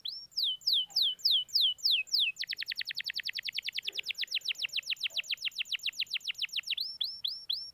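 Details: Canary song used as a lure to coax a quiet canary into singing: a few slow, high downward-sweeping whistles, then a long, rapid, even trill of sweeping notes, ending with slower sweeps again.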